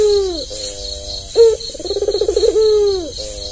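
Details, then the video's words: Albino Barbary dove with red eyes, tame and used to prompt other doves to sing, gives a descending coo, level humming tones, a sharp note, a fast throbbing trill and another long falling coo. "Suara puter kombinasi puter terbaik"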